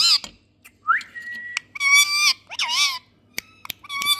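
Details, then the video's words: A pet rose-ringed parakeet gives a rising whistle that levels into a flat tone, then warbled nasal squawks with wavering pitch, interspersed with sharp clicks. "Indian Parrot🍃Super Sweet Voice"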